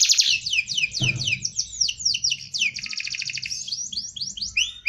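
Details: Canary giving a dense rolling song meant for tutoring other birds: rapid strings of high, down-slurred whistled notes, then a buzzy rolled trill midway and more sweeping notes, over a faint low hum.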